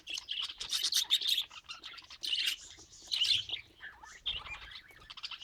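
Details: Several pet budgerigars chatter together in bright, high, buzzy warbles and quick chirps, with a continuous overlapping twitter and short pauses.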